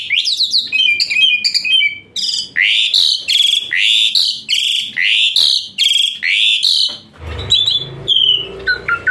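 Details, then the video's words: Hot-shot style song of an Asian pied starling, full of fill-ins, played as therapy for reluctant singers: a series of loud arched whistles repeated about twice a second, ending in scratchier chatter and a low rumble. "Full Isian Mewah TEMBAKAN PANAS Khas Jalak Suren UNTUK TERAPI Jalak Suren Malas Bunyi Jadi Rajin"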